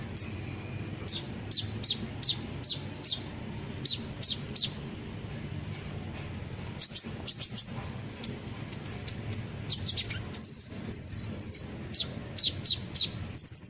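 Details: Olive-backed sunbird song, played as a lure so birds join in: a long run of piercing high ticks and chirps at irregular intervals, then thin descending whistled slurs near the end. A steady low hum sits underneath.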